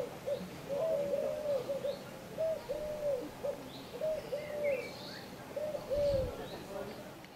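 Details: Eurasian collared dove at Le Mont-Saint-Michel, France, in May: repeated soft three-part coos, the middle note long, given in a steady series over a background hiss, with faint higher bird notes.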